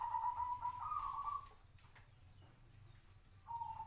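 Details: A local zebra dove, kept five years, gives a trilled cooing phrase that rises slightly and lasts about a second and a half. After a quiet gap, a short coo begins again.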